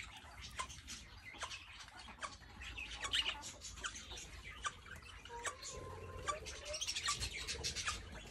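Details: A young female Major Mitchell's cockatoo being introduced to a male who lost his mate: short harsh squawks and scratchy chatter at an uneven pace, sharp clicks and knocks, and a brief falling nasal call near the end.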